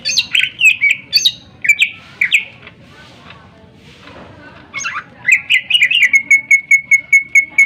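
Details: Greater green leafbird song used as a lure for other birds: bursts of quick whistled and slurred notes, a quiet gap, then rapid phrases ending in a fast, even trill of identical clipped notes.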